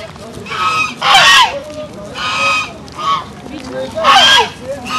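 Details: Peacock uttering repeated loud, brassy wailing calls, about five bursts in five seconds, each with a bent, falling note inside a harsh, noisy blare.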